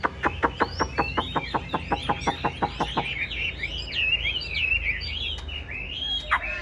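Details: Chinese hwamei kept in a cage gives about fifteen evenly spaced, sharp notes at a brisk pace, then moves into a flowing, twisting warble of high whistles.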